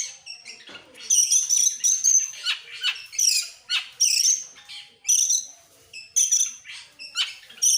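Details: Excited Oriental magpie-robin with tail opened, singing fast bursts of harsh, scratchy phrases and high ringing notes, each burst about a second long with short breaks between.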